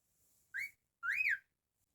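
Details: Pet cockatiel giving two whistles: a short rising note followed by a longer arched whistle that climbs and falls.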